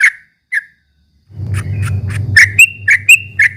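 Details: Ropel-style trucuk song for provoking rival birds: a few scattered whistled notes, then a steady low hum with sharper, downward-sliding whistles repeated roughly twice a second.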